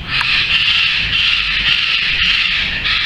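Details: A juvenile Ferruginous pygmy-owl, grounded at dusk after rain on its first flight attempts, gives a harsh, hissing rasp held steady and high for about three seconds with barely a break.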